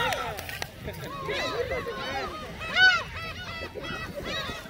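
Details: Gulls on Seonjaedo island, South Korea, being fed shrimp cracker snacks: overlapping arched, harmonic cries from several birds rise and fall after the first second, with lower murmuring noise underneath.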